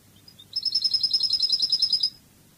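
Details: European goldfinch, Spanish Cádiz song style from a song CD: after a few soft chips, a rapid, even trill of high, ringing repeated notes runs for about one and a half seconds and stops abruptly.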